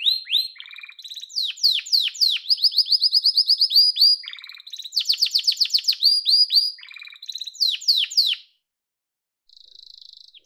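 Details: Yellow canary song built from fast repeated downslurred notes and even rolling trills, loud and clear, followed by a brief pause and a softer buzzy high trill.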